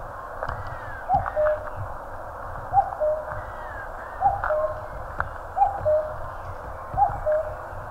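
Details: In Korean mountains a common cuckoo repeats its falling two-note cuck-oo five times at an even pace over a broad background hiss, with soft distant bird notes behind.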